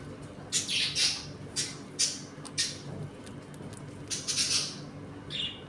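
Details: Pet budgerigars in a home colony while eating and playing; short, harsh, high squawks in separate bursts about every half second to a second, over a faint room hum.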